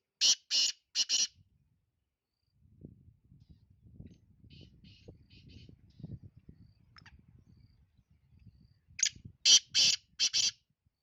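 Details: Black francolin in Sindh, Pakistan: a loud, harsh, grating call of three quick broadband bursts, then a quiet gap with faint distant chirps and low rumbling, followed by a second four-note grating series.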